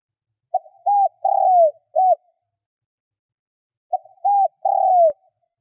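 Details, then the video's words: Decoy spotted dove cooing to draw in wild doves: two mellow low phrases roughly three seconds apart, each with a short coo and a long falling croo, the second cut by a sharp click. "Tiếng cu gáy mồi gáy gọi hay kích bổi nhanh nổi hiệu quả"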